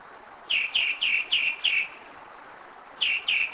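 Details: At 2am in Kennesaw, Georgia, 2011, a Northern mockingbird that returns yearly sings five clear downslurred notes in quick succession, pauses, then starts the same note again twice.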